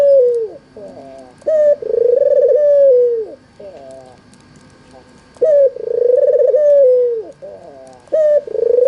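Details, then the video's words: Albino white Barbary dove with red eyes, used as a lure to prompt other doves to coo. Loud, throaty, warbling coos, each opened by a short sharp note and ending in a falling drawl, with softer trailing coos between phrases. "suara burung puter putih mata merah"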